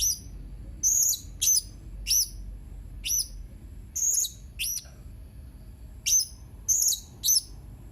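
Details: Blue-crowned hanging parrot, 31 March 2021: a lively series of about thirteen sharp, thin, very high chirps, single or paired, spaced irregularly over eight seconds, with little other sound.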